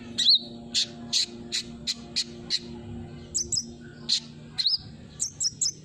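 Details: Olive-backed sunbird lure call for a bird that has stopped singing: loud, high, ringing chirps spaced about every third of a second, then doubled twittering notes near the end.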